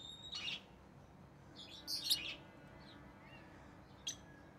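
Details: Orange-faced green and red-headed green rosy-faced lovebirds chirping: a high chirp, then a cluster of buzzy, shrill notes around two seconds, and a final brief peep, over steady background hiss.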